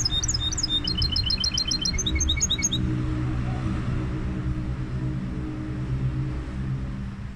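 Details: Goldfinch hybrid delivers a bright, rapid burst of high twittering and tinkling notes for nearly three seconds, then falls silent, leaving only a continuous low rumble like wind or traffic.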